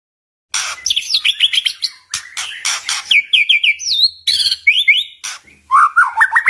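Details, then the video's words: White-rumped shama song, used as a lure to provoke rival shamas: loud slurred whistles, rapid trills and sweeping phrases tumbling one after another at high pitch, with brief pauses between bursts. "Suara kicauan muraibatu"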